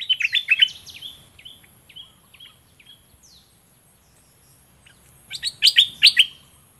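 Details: A decoy Olive-winged bulbul in southern Thailand pours out a rich, chortling phrase, trails off into spaced single whistled notes, then returns with another loud bubbling burst.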